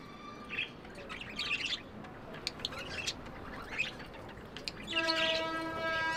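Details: Tame budgerigars making love and chirping sounds: irregular bright chirps and brief warbles, ending with a steady buzzy tone layered under the twittering.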